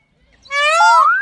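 A peacock gives one loud, nasal, wailing note that climbs at the end. It lasts under a second, with nothing else heard.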